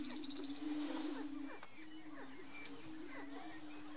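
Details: Male greater prairie-chickens displaying on a lek in Colorado in March–April, competing for females: low, hollow, overlapping booming moans with sharp cackles mixed in.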